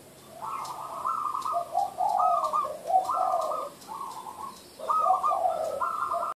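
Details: Zebra dove cooing in the song style locally called derak: rapid, rolling, trilled coo phrases in a mid pitch, delivered in four bursts of about one second each with short gaps, over faint background hiss.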